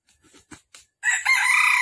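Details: Red junglefowl call played for trapping in Vietnam on the morning of 13 December 2021, said to be a hen calling a rooster: a few soft taps, then a loud, harsh, sustained crowing note that is cut off.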